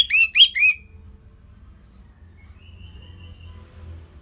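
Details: Orange-headed thrush singing, a recording to stimulate other songbirds: three quick, bright, downslurred whistles, then quiet with a faint level tone and low background hum.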